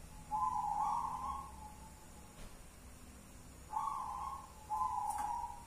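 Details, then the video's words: Local wild zebra dove singing in the one-and-a-half engkel style, described as soothing and well-tuned: a long, level, mellow coo, silence, then two shorter coos close together near the end, with faint background hiss. "Suara perkutut adem di hati ngelaras 1 stgh engkel"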